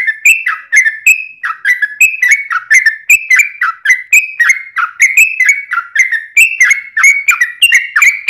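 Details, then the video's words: Yellow-vented bulbul singing vigorously, a lure to get other bulbuls to answer: a continuous steady string of short slurred whistled notes, each dropping in pitch, repeated about three per second for the whole stretch. "SUARA trucukan gacor ROPEL PANJANG pancingan trucukan agar bunyi JADIKAN burung trucuk gacor NYAUT"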